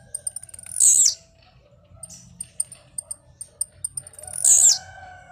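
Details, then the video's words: Two brief, piercing buzzy notes falling in pitch, about three and a half seconds apart, from a blue-black grassquit singing while jumping. A train of evenly spaced high ticks fills the gap. "tiziu cantando de pulo"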